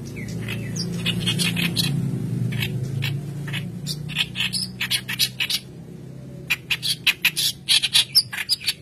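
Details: White-browed kerak basi singing energetically, used as training lure material. A low humming background dominates the first half, then scratchy, chattering bursts come in quick succession toward the end.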